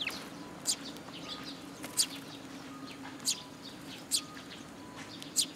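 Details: Eurasian tree sparrows flocking to a feeding spot on a support post at a Tenmangu shrine on 26 June 2022; bright, clipped chirps arrive about every second over a low, steady background hum.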